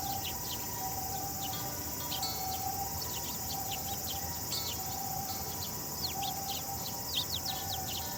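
Sparrows give short, bright chirps, irregular and overlapping like a small flock, over a steady high insect drone and a faint low hum.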